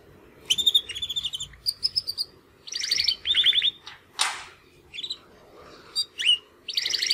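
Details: Two caged Timbrado canary brothers, young males born in the second 2020 breeding, trying to sing after their first molt; short chirps and rapid rolling trills in bursts, one harsh rasping note midway, over a low steady hum.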